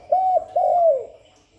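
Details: Single spotted dove phrase, used to lure and excite doves: a short level coo followed by a longer, smooth coo that slides downward at its close.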